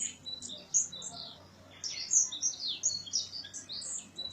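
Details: Early morning song around Gondar, Ethiopia: a bird's high, sparkling chirps come in uneven bursts with short pauses, heard from a room's balcony in 2017.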